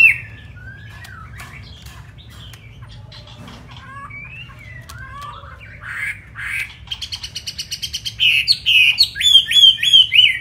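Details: Chinese hwamei (Garrulax canorus), song.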